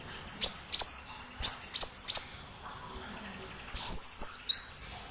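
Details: Sunbird (kolibri) tutor recording meant to stir other songbirds, including the magpie-robin, to sing. Rapid, piercing chirps fall in two clusters, then a run of three descending whistled sweeps.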